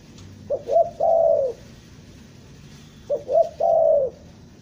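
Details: Tekukur, or spotted dove, a Bandung lure bird used for trapping, giving two full coo phrases. Each has quick clipped opening notes, then a drawn-out, soft, slightly descending coo, with a quiet pause between them.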